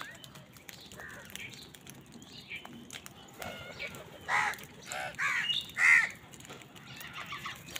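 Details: Crows fighting with wild birds over food: three harsh, stacked caws come after about four seconds, before them only faint chirps and a soft background hiss.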